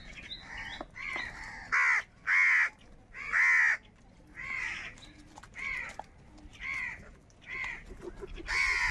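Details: Wild crows fighting for food give loud harsh caws, each about half a second long, repeated roughly once a second in an uneven series.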